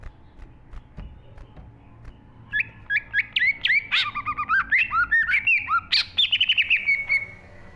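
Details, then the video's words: Green leafbird (cucak ijo) in full 'gacor full isi' singing, a 2023 recording used to train pet birds: quiet start, then a fast run of loud, clear whistled notes sliding up and down, about two or three a second, over a low rumble. "burung cucak IJO GACOR FULL ISI"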